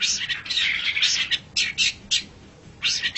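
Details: Long-tailed shrike song, a master recording for songbird training: harsh scratchy chattering bursts in rapid runs, pausing briefly, then resuming with short rasping notes.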